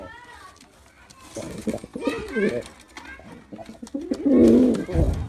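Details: Low, quieter pigeon coos from a performing male build toward one strong throaty phrase near the end, over a background of rustling and indoor noise.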